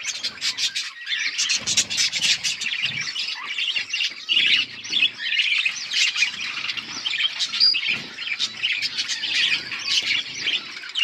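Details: Many budgerigars in a flock chatter while eating food, a continuous dense mix of high warbled chirps, squawky notes and quick twitters throughout.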